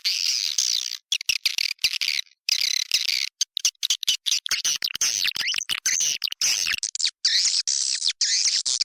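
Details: Recording from an occupied swiftlet house, used as a lure call: almost unbroken high, buzzy chattering twitter, broken by brief clicks and gaps, for nearly nine seconds.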